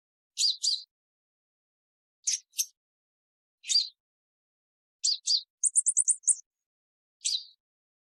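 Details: Purple-throated sunbird repeating paired high chips at intervals of about a second and a half, plus one rapid burst of six ticking notes; clean, quiet surroundings.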